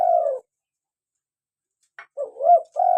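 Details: Local spotted dove in full voice, used for luring and to prompt caged birds to coo: the end of a long falling coo, a quiet click, then a fresh phrase of a rising hooked note and a steady low coo.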